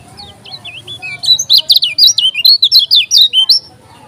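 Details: Lombok kecial kuning (lemon-bellied white-eye) in fierce song. Soft opening twitters swell into a loud, rapid series of high, twisting whistled notes, with faint low hum behind.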